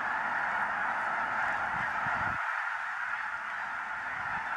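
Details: Snow geese flock, 5 February 2015: massed overlapping honking calls merge into a steady roar for the whole stretch, with a low rumble fading out partway through.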